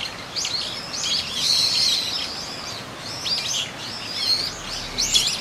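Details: Eurasian teal on a pond at Kōkū Park, 19 January 2023, with the park's separately recorded ambient sound layered in; many short, high, curved whistled chirps in overlapping bursts, as from several birds calling together.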